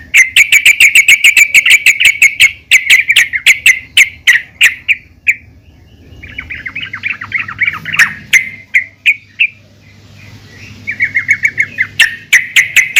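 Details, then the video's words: Female yellow-vented bulbul calling to other bulbuls; long bursts of fast, regular chattering notes, broken by quieter gaps and resuming in rapid runs. "PANGGILAN BURUNG TRUCUKAN BETINA GACOR||MEMANGGIL TRUCUKAN LAIN AGAR RAJIN BUNYI"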